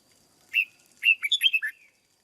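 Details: Red-whiskered bulbul in a cage, trained as a decoy bird in Vietnam, gives a single whistle followed by a quick run of five chirpy, warbled notes that rise and fall within under a second.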